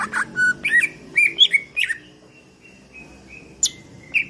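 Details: Greater green leafbird, cucak ijo, singing varied phrases: loud whistled slurs and squeaky chirps for two seconds, then soft thin sustained whistles with a few sharp high notes, over faint hum.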